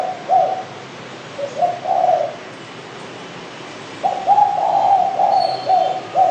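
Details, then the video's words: Low cooing of a spotted dove, locally derkuku, in short paired notes early on, then a longer connected sequence of soft coos after a pause. "BURUNG DERKUKU"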